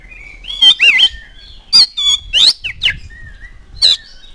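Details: Oriental magpie-robin song used to provoke other birds into singing: loud scratchy, harsh notes mixed with short whistles and sweeping chirps in bursts, quiet gaps between, no other clear sounds.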